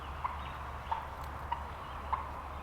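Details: Four short, sharp wild turkey notes about every half second over a low rumble; turkeys worked up after spotting hunters, flying up into trees, during Wisconsin spring turkey hunting 2020, others gobbling from roost about 100 yards away.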